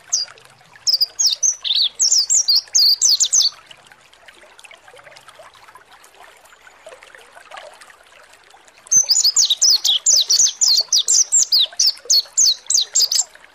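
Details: Lure recording of mountain white-eye song meant to make the bird open its beak and sing: two bursts of fast, high, slurred chirping notes, the first about three seconds long, then a pause, then a longer, denser run.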